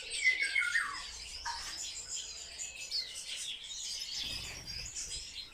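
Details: Captive sparrows, noted as very social birds, give a short falling twittered phrase at the start, then a quieter mix of scattered high chirps over a faint low rumble.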